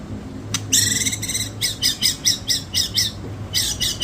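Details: White-rumped shama with a song described as filled with cililin and kapas tembak material; here a run of loud, harsh, buzzy notes repeated about every quarter second, with a short pause partway through and a low hum underneath.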